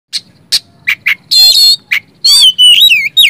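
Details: Oriental magpie-robin song used as a lure to prompt silent magpie-robins to sing and show their learned phrases: short high chips, then harsh buzzy bursts and a bright, wavering whistled phrase sliding downward near the end.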